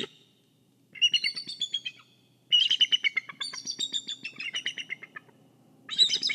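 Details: Bald eagle guarding its egg at the nest, Kisatchie National Forest nest camera: bursts of high, rapid staccato piping notes that slide downward, three runs of chatter separated by short pauses.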